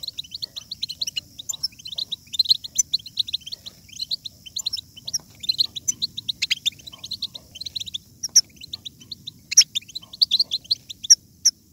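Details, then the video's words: European goldfinch song used to stimulate other goldfinches to sing strongly: fast, liquid twittering of short high notes in bursts, with sharp bright accents every second or two and a faint low rumble beneath. "بتبتة الحسون ~ بتبتة جيدة لجعل الحسون يغرد بقوة !"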